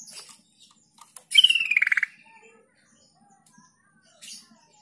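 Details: Sooty-headed bulbul sound used to lure silent young and flock-raised bulbuls into answering: a loud, rapid, pulsed trill that slides down in pitch, set among brief high chips at the start and end.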